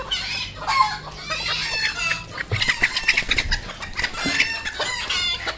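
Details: Village red junglefowl decoy calling, giving harsh clucks and strained, crowing-like calls in quick bursts, with other fowl chattering close by and a low background hum.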